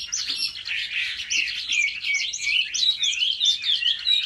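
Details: Chinese hwamei singing to compete during home training: continuous high, fluid whistled warbling with quick looping phrases, loud and unbroken throughout.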